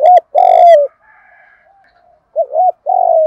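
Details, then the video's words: Loud, close spotted dove kept as a lure, giving 'thúc gù' coos: a wavering hoot and long level coo, a pause with faint soft notes, then a doubled hoot and another drawn-out coo. "tiếng chim cu gáy kích bổi. giọng thúc gù"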